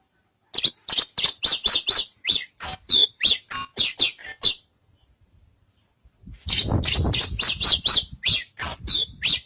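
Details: Javan bush lark singing a fast burst of sharp, high chirped notes, about four each second, then a brief pause before the run resumes over a low rumbling noise.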